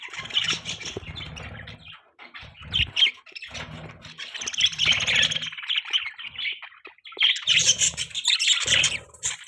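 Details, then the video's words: Budgie squawking and chirping in bright, scratchy runs of rapid notes, repeatedly starting and stopping, with faint low hum in the gaps. "Beautiful Budgie Chirping Sound"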